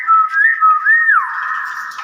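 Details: Common hill myna whistling loud, smooth tones that swoop up and then fall back, followed by a long sustained whistle, heard indoors.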